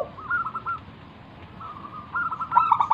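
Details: Local wild zebra dove song intended to prompt other doves to sing: faint wavering trill notes throughout, ending in a louder burst of clipped, rapidly repeated notes.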